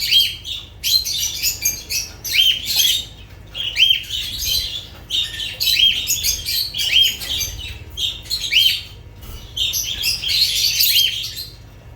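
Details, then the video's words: Lovebirds chattering in rapid bursts of high, grating chirps and squeaky squawks, each burst lasting about a second, repeated steadily throughout over a low hum. "Sounds of lovebirds"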